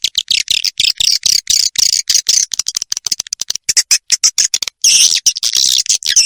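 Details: Edible-nest swiftlet roosting call played to lure swiftlets to roost: dense, high chattering twitters broken into rapid pulses with brief silent gaps, sharp and loud throughout.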